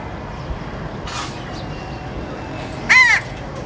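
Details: A crow gives a single harsh, nasal caw near the end, preceded by a brief faint rustle, over steady low background hiss.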